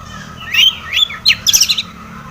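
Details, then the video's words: Long-tailed shrike singing a lure song rich in mimicked notes: three rising whistled slurs, then a quick burst of bright chattering twitters. "SUARA cendet gacor ATATCLETAT pancingan cendet agar bunyi emosi"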